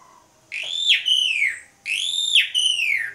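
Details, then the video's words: Jalak suren, or Asian pied starling, singing strongly in the gacor mompa manner as a trigger recording: two loud ringing phrases, each a rising note that breaks into a falling, harmonic-rich whistle, about a second apart. "PANCINGAN JALAK SUREN, JALAK SUREN GACOR MOMPA"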